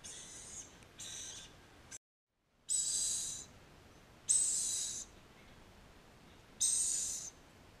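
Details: Two six-day-old Swainson's (green-naped) lorikeet chicks being hand-reared give harsh, hissing rasps, each under a second long, repeated every second or two with short quiet gaps between; rainbow lorikeet (Trichoglossus moluccanus) chick calls.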